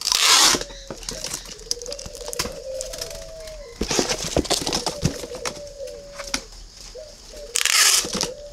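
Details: Caged spotted dove with red bill and yellow legs, Ba Vì district, northern Vietnam: repeated low hollow coo phrases strung across the recording, interrupted by three loud rushing bursts and frequent clicks and taps.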